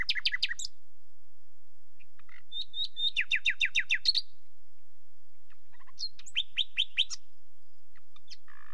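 A nightingale sings three separate phrases of fast, ringing repeated notes, each a rapid volley of about seven to nine sharp chirps, with short quiet gaps between them.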